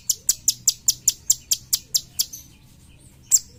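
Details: Cucak cungkok bulbul, a tutor bird for songbird training, utters about eleven crisp, piercing chips at a steady pace, falls silent, then gives one final chip.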